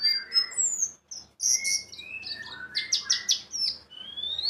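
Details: White-eye lure song for prompting other birds: high whistled slurs and rising notes mixed with scratchy chattering, some lower warbled tones, over faint background hiss.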